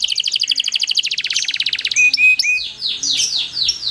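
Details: Long rolling song of an Atlantic canary, played to lure other canaries into singing: a rapid high trill of about eleven notes per second, then clear whistles and downward-sweeping chirps repeated quickly.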